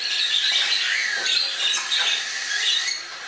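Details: Indoor flock of fledging Congo and Timneh African grey parrots at a Dallas-area bird shop: steady high-pitched chatter with thin whistled squeals laced through it, a few soft lower notes underneath.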